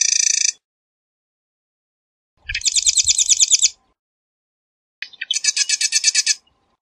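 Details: Marsh wren (Cistothorus palustris) singing: a short high buzz, then two dense, rattling, mechanical trills of about a second each, spaced roughly two and a half seconds apart, with quiet gaps between.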